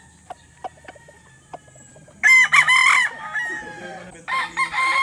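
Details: Soft, scattered chicken clucks come first, then a loud rooster crow bursts in: a harsh, rich call with a stretched final note, followed by a second crow near the end.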